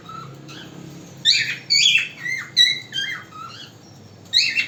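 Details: Pet cockatiel singing naturally at home: a run of bright whistled phrases, some rising and some sliding down, in quick bursts.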